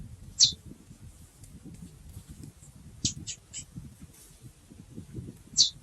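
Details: Calling female chestnut-bellied seed finch, giving isolated crisp high chip notes spaced several seconds apart, with a quick cluster of three in the middle and faint background rumble.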